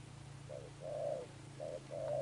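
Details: Wild-caught spotted dove cooing in 'Sấm Thổ' style. Two pairs of a clipped note then a drawn-out hollow coo, with a steady low mechanical hum underneath.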